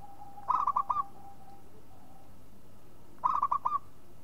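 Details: Local zebra dove, used as a lure to set other doves cooing, repeating a rolling phrase of five quick mellow coo notes twice, nearly three seconds apart, with a faint steady hum behind.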